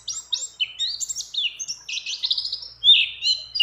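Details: Short burst from a female mountain white-eye in breeding condition calling a male, mixed with other birds' phrases: varied high slurred chirps, then a fast buzzy trill and a loud closing note.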